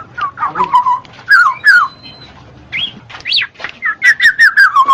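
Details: Black-naped oriole song played to encourage reluctant birds to sing: looping fluty whistles, two falling slurred notes, a pause, a steeply rising and falling whistle, then a rapid string of descending whistled phrases.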